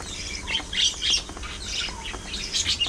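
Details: Budgies chatter in busy, overlapping high chirps and squeaks that rise and fall quickly without pause.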